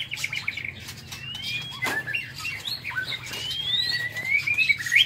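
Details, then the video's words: Morning song of a White-rumped shama kept in an aviary: long thin rising and falling whistles and short warbles, with a sharp knock near the second second and scattered cage clicks. "Tiếng Chích Chòe Lửa độc lạ hay"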